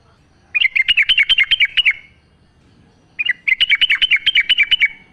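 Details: Sooty-headed bulbul singing in the wild forest, natural sound used to get caged bulbuls singing: two phrases of rapid, bubbly chattering notes, each lasting over a second, separated by a pause of about a second.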